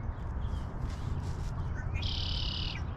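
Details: Red-winged blackbird in a tree near water during a post-rain hike: a short low "pip" note, then a steady, buzzy high trill lasting under a second, over heavy low rumble of wind or handling noise.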